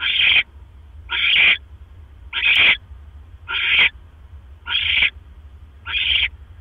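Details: A barn owl at the nest utters six raspy screeches in a steady series, about one per second, at 1:09 AM on 12 October 2015 as the male arrives with another mouse. Low background hum throughout.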